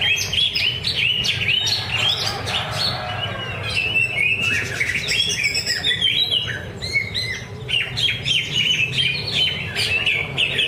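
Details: Greater green leafbird singing at a practice bird-singing contest at Danau Bumi Restu, Cikunir: a busy, continuous stream of rapid, varied high chirps, whistles and trills with sharp pitch jumps, over a low background murmur.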